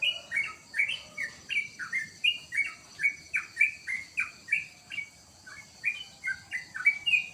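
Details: Sooty-headed bulbul kept at home sings a steady run of bright, bubbly, slurred whistles, each note dropping in pitch, repeated roughly twice a second without a break.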